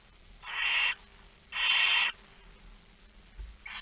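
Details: Barn owl begging at a feeding, recorded 13 September 2019 at 06:57 at a Dutch nest: two harsh, hissing snores about half a second long, with a third starting at the end.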